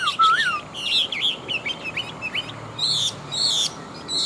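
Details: An old wild-caught Chinese hwamei, a large caged fighting bird noted for its fine forest voice, pours out a loud slurred whistle, then a chain of short, high, twisting notes and buzzy bursts.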